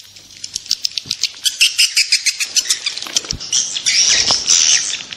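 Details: Calls played to attract swiftlets: a quick series of sharp, clicking high chirps, about three per second, that merges into a sustained buzzy twittering toward the end.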